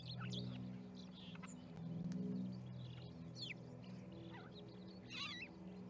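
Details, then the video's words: Flock of starlings gathered at an osprey nest in Charlo, Montana, 10/07/2019, giving scattered squeaks, clicks and short wavering whistles, with a dense warbling burst near the end, over a constant low hum. "Starling Party"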